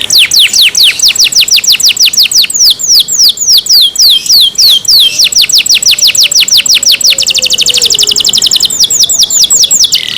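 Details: Kept canary in full song, pouring out continuous rapid trills of high descending sweeps that shift in tempo and pitch, growing denser and buzzier near the end.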